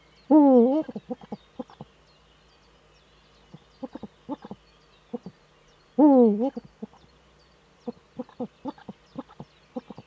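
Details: Courting male Eurasian eagle-owl in a breeding niche watched by a webcam in northern Rhineland-Palatinate, Germany, on 4 May 2013. Two loud, wobbling cries about six seconds apart, each followed by rapid runs of short, soft chattering notes.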